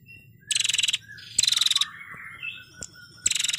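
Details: Singing female prinia, recorded as training material for songbirds, gives rapid rattling trilled bursts, three loud buzzy series of about half a second with softer thin whistled notes between them.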